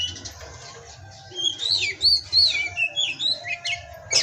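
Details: After a quiet start, an Oriental magpie-robin (kacer) breaks into pastol-style song, a run of loud whistled downslurs and looping notes repeated at a brisk pace.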